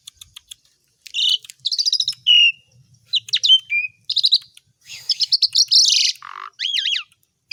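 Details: Asian pied starling, singing actively and full of copied songbird phrases, delivers choppy bursts of trills, whistled slides, a dense buzzing passage and wavering looped whistles, separated by short silences.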